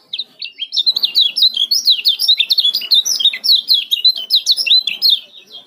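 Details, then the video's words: Fast, packed ciak chatter from a male yellow-vented bulbul of Lombok, used as a lure for bulbuls that have stopped singing; sharp high chirps rise and fall without a break for over five seconds. "LOMBOK KECIAL KUNING CIAK SPEED RAPAT"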